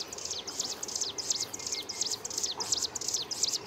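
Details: Himalayan prinia, also called striated prinia (Prinia crinigera), in Himachal Pradesh, India, sings a steady run of high, thin, scratchy notes repeated several times a second in short bursts over faint hiss.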